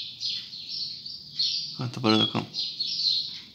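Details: Double-collared seedeater singing steadily at dawn, a stream of high, buzzy twittering notes, interrupted in the middle by a man's brief spoken words.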